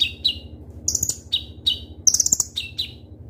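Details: Ruby-cheeked sunbird (kolibri ninja) singing crisply as lure audio: bright falling chirps alternating with rapid very high trilled clusters, loud and clear against a faint low hum.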